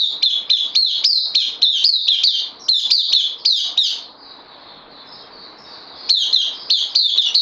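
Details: Newcomer bulbul held in a cage sings a long fast series of bright, falling notes, pauses while fainter chirps continue, then resumes the rapid run.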